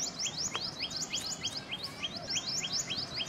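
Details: Common tailorbird of Asian gardens and wooded areas: quick overlapping upswept whistles from more than one bird, repeated rapidly throughout, with a faint background hiss.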